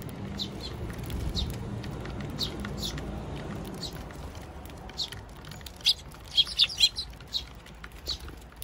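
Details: Tree sparrows with their young at a bird feeder, June 2023: soft scattered tweets, then a cluster of loud rapid chirps in quick succession before calmer single notes return.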